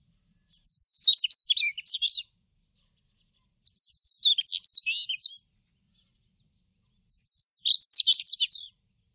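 Daurian redstart singing three quick phrases, each a thin high whistle running into a scratchy, jumbled twitter, about every three and a half seconds; nothing else heard.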